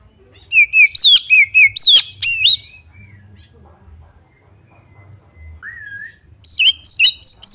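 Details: Female white-rumped shama giving calls meant to draw other shamas into singing: a quick run of six bright downslurred whistles, a rising harsh note, a quiet gap with one lower drawn whistle, then fast high whistled notes again.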